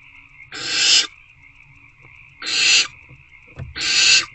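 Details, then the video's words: Three coarse, loud hisses from hungry owlets inside a nest box at 8:13 pm on 26 February 2024 as they try to eat a rodent, with a brief soft thump between the last two and a continuous hum. "Hungry Owlets Try Again to Eat The Rodent."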